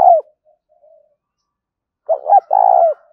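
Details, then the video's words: Spotted dove coo used for luring: the tail of one purring phrase, a few soft murmurs, then two short throaty notes and a long burred coo trailing off. "tiếng cu gáy kích bổi vang cả cánh đồng dùng kích bổi nhanh về cội"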